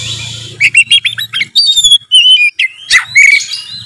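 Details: Oriental magpie-robin in 'gacor narung' song meant to stir a silent bird into singing: fast chattering notes leading into clear sliding whistles and trills, over a faint low hum.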